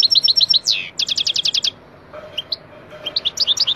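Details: Wild European goldfinch singing in Algeria, recorded for training captive finches: rapid bright high twittering notes in quick runs, a brief buzzy slurred note, a short pause, then more chirps, with low background noise.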